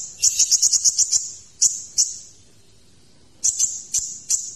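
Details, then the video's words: Kolibri ninja sunbird song: a rapid string of about eight sharp high chips, a few spaced piercing notes, a pause, then more clipped high strokes. "MASTERAN KONIN - Masteran Kolibri Ninja Isian Mewah"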